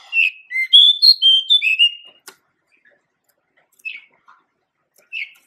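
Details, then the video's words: Male pied bushchat song from Asia: a rapid, tuneful burst of bright whistled notes that swoop up and down for two seconds, followed by a quiet gap and two brief, single chirps. "Kicau Merdu Suara Burung Decu Jantan"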